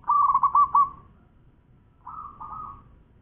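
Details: A champion local zebra dove sings one quick phrase of clipped, bubbling coos, then a softer, shorter rolling coo after a pause.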